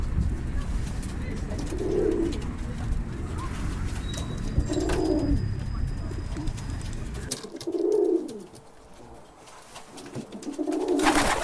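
A pigeon gives low, soft, rounded coos at a slow pace, roughly one every three seconds, over a steady rumbling background.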